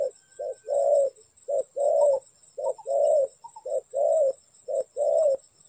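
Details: Spotted dove at a trap site delivering regular low coos, a clipped first note and a fuller drawn-out second, five phrases at about one-second intervals, with a faint higher note and a steady electronic whine.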